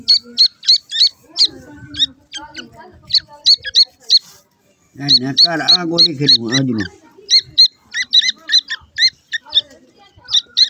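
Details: Newly hatched francolin chicks feeding, giving rapid, high, thin peeps, several per second, in quick bursts; a low human voice talks briefly in the middle.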